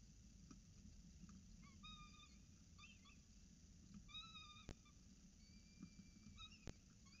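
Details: Breakfast at a peregrine falcon nest at Orange CSU, 7.07 am on 26 October 2019, the female feeding chicks: brief upslurred harmonic chirps and longer level whines in loose clusters, broken by sharp taps.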